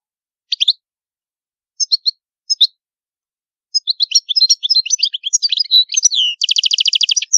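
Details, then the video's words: Goldfinch singing the ancient Palermo Sicilian song type: three spaced chirp pairs, then a quickening jumble of bright twittering notes ending in a steady, fast, even buzzy trill. No background sound. "CANTO DEL CARDELLINO DI PALERMO SICILIANO"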